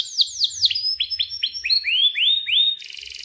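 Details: Lively canary in breeding condition giving sharp cuit cuit phrases: several steep down-slurred notes, then a run of rising upswept whistles, closing with a short buzzy trill.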